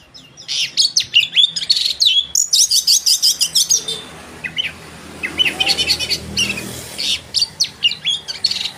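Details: Oriental magpie-robin in lively song, used as a lure to provoke rival birds: rapid runs of high, varied whistled and scratchy notes in quick pulses, with a brief pause midway before the busy phrases resume.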